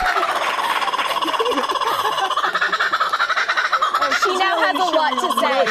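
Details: A female kookaburra brought into a Times Square TV studio gives its loud, rollicking laugh, a rapid run of chuckling hoots that swells and rises toward the end, with studio chatter in the background.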